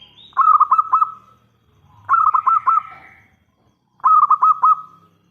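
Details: Local zebra dove in full song, its loud song used as a lure to draw answers from other zebra doves: three bursts about two seconds apart, each a rapid rolling stutter of mellow coos ending in a held note.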